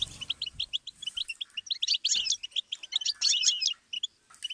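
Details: A goldfinch pours out a twittering tutor song for young birds, with soft low rumbles at the start, then accelerating bright chirps and dense jingling phrases.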